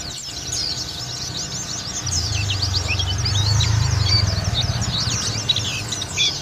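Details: Local Lawu dakun white-eye singing in ngalas style with an open beak: a dense, rapid stream of high, thin twittering notes and quick chirps with no pauses, over a steady low rumble of background noise.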